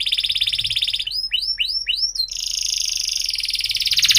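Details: Canary singing as a teaching lure for young canaries: a high buzzy trill, then four quick curved whistles in a row, followed by a bright, rapid roll to the end.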